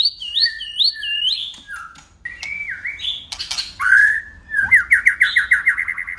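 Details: Competitive song of a white-rumped shama switching voices continuously: repeated looping whistled notes, a falling slurred whistle, crackling bursts, then a rapid rattling trill of quick repeated notes.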